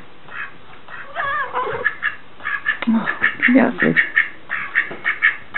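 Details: A male Muscovy duck indoors, protecting his female from a rival big Muscovy male outside the window by beating up the doormat, gives hoarse, wavering calls in quick uneven bursts, about three a second; a human voice is also heard.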